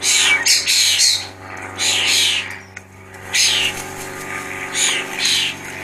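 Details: Harsh, broad chacking calls from jackdaws sitting in a cottage garden in Scone, Perthshire, Scotland, on a spring afternoon. The calls come in several loose bursts of uneven length and spacing, with a steady low hum underneath.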